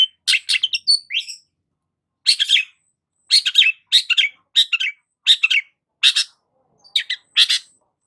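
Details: Cendet, the long-tailed shrike, singing energetically as a lure for stressed birds: clusters of harsh, chattering high notes in quick bursts with short pauses, some squeaky whistled fragments, no other sounds.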